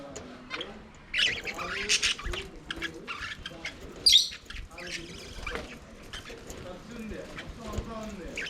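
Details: Several budgerigars singing and playing in an aviary: a dense, continuous chatter of scratchy chirps, squeaks and warbles, with a sharp loud squawk near four seconds and softer low, buzzy muttering running underneath throughout.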